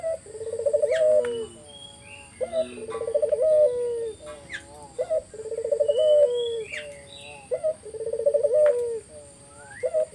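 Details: Collared dove song used to lure other doves into answering, repeated four times at even spacing: short opening note, loud rolling burbling coo, then a sustained tone, with small birds chirping high in the background.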